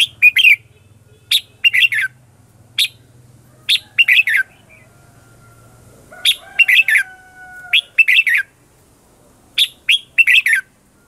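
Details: Competitive song of a red-whiskered bulbul lure bird meant to draw in wild birds; crisp, scratchy chirp phrases in tight clusters at irregular intervals, a faint level tone running through the middle, low hum early on.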